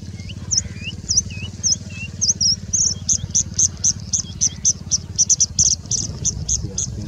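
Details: Singing bush lark in India mimicking birds such as Indian robin and Plain prinia: looping V-shaped whistles alternate with lower curls, then a long fast train of high sharp chips over a low hum.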